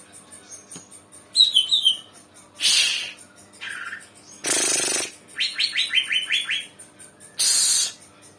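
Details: Young untrained cucak ijo (green leafbird) just starting to sing: short series of bright, descending whistled notes, interrupted by several loud harsh bursts of noise.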